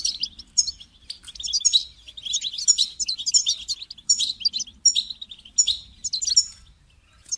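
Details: European goldfinch call to motivate a caged goldfinch to sing: near-continuous, lively twittering of high tinkling notes and buzzy chirps, rising and falling in loudness.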